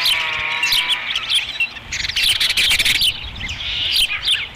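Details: Osprey at its nest at Dunrovin Ranch on 30 May 2016, during the third feeding; high, thin chirps and downslurred whistles, partly overlapping, with a brief burst of broadband noise in the middle.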